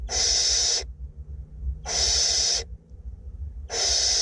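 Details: Barn owlets, two of them, in a north Glasgow nest box during feeding, giving harsh rasping hisses, each lasting under a second, repeated roughly every one and a half seconds.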